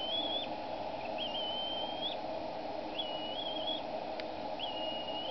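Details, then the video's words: Female bald eagle on the Decorah nest, 23 April 2012, screeching at the male while he feeds the eaglets in the cottonwood. Four drawn-out, high, quavering whistled cries come about a second apart, with a single sharp click and a steady low hum. "Mom Screeching at Dad Again!"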